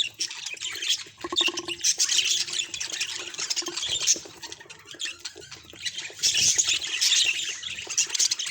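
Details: Budgerigar twittering in waves, scratchy chirps and warbles rising and fading, with a brief buzzy rattle early on amid the high chatter.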